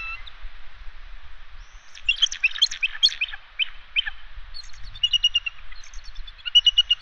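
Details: Wild bald eagles at their West End nest on Catalina Island, swapping incubation duty on the eggs; bursts of rapid, high chittering notes, then shorter piping series of clear notes, with light background noise.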